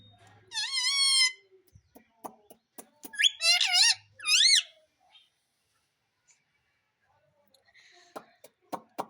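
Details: Talking Indian ringneck parrot that says "Mummy": a steady harmonic drawn-out note, then two harsh, bending voiced phrases, with scattered clicks and soft ticking sounds between and after.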